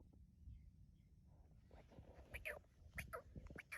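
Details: Black francolin, known locally as kala teeter, singing in fields in rural Pakistan: after a quiet, low-rumbling start, a burst of harsh, ringing notes in quick succession, several closely spaced, over steady background noise.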